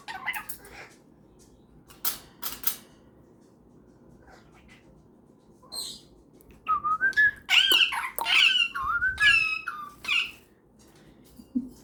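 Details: Cockatiel kept as a pet, conversing with a superb parrot at bedtime indoors: scattered soft clicks, then a lively stretch of rising whistles and squeaky chirps before quiet returns.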